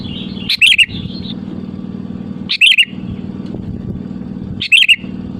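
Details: Sooty-headed bulbul song meant to draw rival birds: three short liquid whistled phrases spaced about two seconds apart over a constant low mechanical hum.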